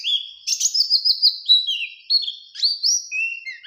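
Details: Oriental white-eye of the Bustomi type, in ngalas nembak song meant to provoke a rival. High whistled notes, some held and some trilled, change pitch often in a lively, varied chatter without pause.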